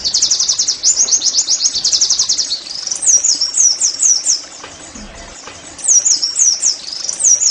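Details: Oriental white-eye song for prompting caged birds: a dense rapid high trill for over two seconds, followed by scattered zigzag whistled phrases, a lull around five seconds, then more chattering notes.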